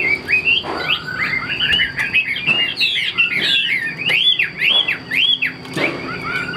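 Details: Chinese hwamei in a cage, shown displaying its wings, pours out a fast continuous run of looping, rising and falling whistles, broken by occasional cage knocks, over a faint constant high tone.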